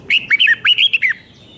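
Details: Red-whiskered bulbul, Thailand, with a doubled five-syllable song meant for young birds to copy: one rapid phrase of about six loud, slurred notes, each rising and then dropping, all packed into about a second.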